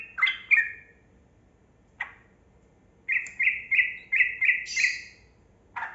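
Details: Yellow-vented bulbul (trucukan kebo) singing a long 'ropel' rolling song, played to coax reluctant birds into singing; bright bubbly liquid notes in short phrases, a lone note, then a quick run of about six ringing notes and one more call.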